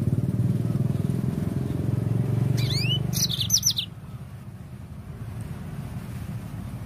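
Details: Lure song of a yellow-fronted canary to get birds singing: one phrase of rising chirps and rapid bright notes in the middle, with a loud, steady low rumble throughout.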